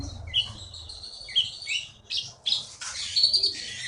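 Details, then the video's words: Full-voiced gacor singing from a konin taken from the Bangka forest: long sliding high whistles and buzzy notes run together, with a low rumble underneath. "KEETY BURUNG JAWARA FULL GACOR"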